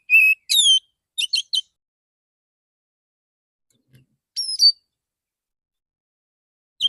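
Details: Male Oriental magpie-robin singing softly in the morning to call others: a level whistle and a high falling whistle, a quick burst of rapid chirps, a pause, then another falling whistle.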